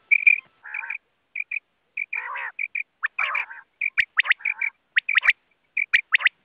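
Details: Common quail (batair) calling: sharp three-note bursts, repeated about once a second, mixed with harsh nasal buzzing phrases and soft paired chirps in between.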